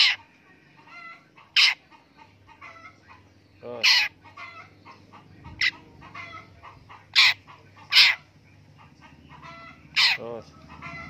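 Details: Long-tailed shrike kept in captivity during tameness training gives scratchy, grating calls at irregular intervals, sometimes close together and sometimes several seconds apart, over a quiet background with a low hum.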